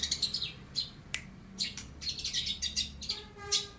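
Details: Young long-tailed shrike, bill not yet fully black and freshly moulted from spotted juvenile plumage, mimicking lovebird and house sparrow: sharp high chirps and buzzy notes in irregular bursts, with a brief rising squeak near the end.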